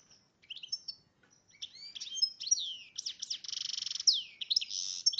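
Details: Breeding-condition goldfinch x red agate canary hybrid singing a high, fast medley of twitters, slurred whistles and a long even buzzing trill, ending in quick chirps and down-swept notes.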